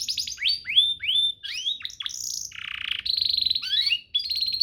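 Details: Master canary song for training: rapid trills, then rising and falling whistled slurs, a low buzzy roll, and fast rattling note series.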